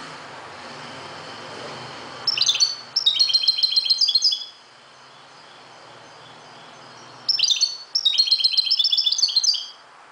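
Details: Dawn song of a Moroccan European goldfinch: two phrases of rapid, metallic twittering and liquid trills, each lasting about two seconds, with a low engine-like hum in the background between them.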